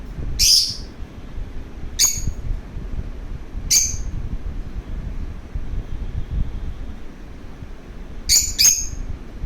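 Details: Lovebird wanting to play utters sharp, piercing chirps, single ones every couple of seconds and then a fast pair at the end, over faint low rumble.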